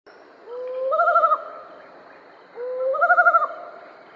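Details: Mottled wood owl (Kerala), giving two eerie calls about two seconds apart, each sliding upward then breaking into a quavering, tremulous wail before ending abruptly; a loud call heard mostly at dusk and night, often answered by a mate.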